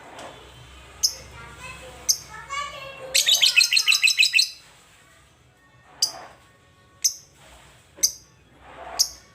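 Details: Lovebird kept at home, its keeper hoping for more frequent singing: scattered sharp high chirps around a sudden burst of rapid, rattling shrill chatter lasting about a second.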